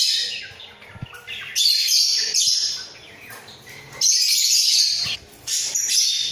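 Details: Budgerigar pair in a breeding cage, head-bobbing as they call: soft chirps build into two long, bright, scratchy warbling phrases and then a shorter one, with faint clicks below.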